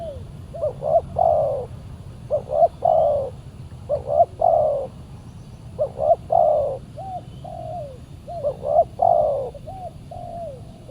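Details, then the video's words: Aggressive wild spotted dove calling back at a decoy on a Saturday trapping outing; steady sequence of five to six cooing phrases, two quick notes then a drawn-out coo, with occasional soft hoots between. "PIKAT BURUNG TEKUKUR D GIMBALIN BL SUPER g4Rang"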